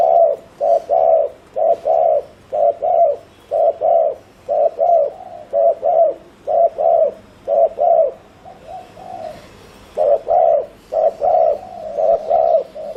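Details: Decoy spotted dove in a long bout of fast 'gù' cooing meant to lure wild doves: paired coos repeating almost without pause for thirteen seconds, briefly quieter near the middle before resuming strongly.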